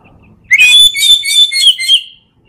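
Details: Oriental magpie-robin in ngeplong song, used to train lazy birds to sing: one loud, rich phrase of warbled whistles lasting under two seconds, rising at the start and wavering throughout, in quiet surroundings.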